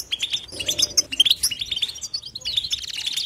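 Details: Nonstop goldfinch batbata song: quick jingling notes and slurred chirps, then a short pause and a fast rattling trill. The sound is bright, high and lively.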